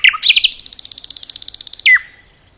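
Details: Common nightingale in a forest: a few loud slurred notes lead into a fast, even pulsing trill of about twenty beats, ending with one strong descending whistle.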